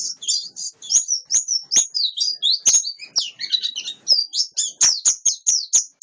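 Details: Steady high warbling from a wild-caught white-eye, mixing quick chirps, short trills and a few lower notes, interrupted by crisp clicks.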